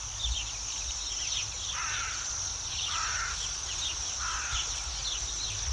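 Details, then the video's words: Bohemian waxwings in Yekaterinburg in spring, a noisy city flock resting high on branches after feeding on berries; unbroken high trilling from the flock, with three lower, harsher calls from another bird standing out. "Свиристели в городе весной, Waxwings in the city in the spring"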